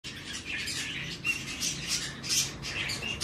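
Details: Hand-tame male White-bellied caique chick, recorded 17 May 2024 in Fukuoka, Japan, giving harsh, raspy squawks in quick irregular bursts, some brighter and sharper, with faint indoor background hum.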